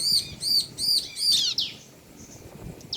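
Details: Male and female bar-winged prinias calling back and forth, meant to stir other prinias to sing; four high arched chirps in quick series, then a downward buzzy sweep and quieter scattered notes.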